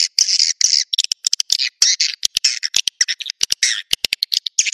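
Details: Naga Merah swiftlet lure call for attracting birds to nests: scratchy, hoarse twitters mixed with crisp clicks in an irregular, busy rhythm.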